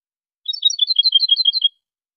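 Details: European goldfinch song recorded in high quality for training birds. A quick, tinkling run of high twittering notes, some rising and some falling, packed closely for about a second against complete silence.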